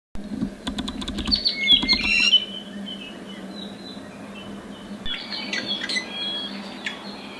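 A small bird sings bright, high chirps and warbled twitters in two short bursts, over a low steady hum with a few sharp taps at the start.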